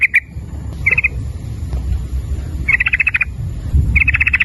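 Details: Sooty-headed bulbul, a prolific singer, used as a lure to prompt other bulbuls to call, in the fast ropel nguklik style: three short bursts of rapid, rattling trilled notes, the last two longest, over a low rumbling background.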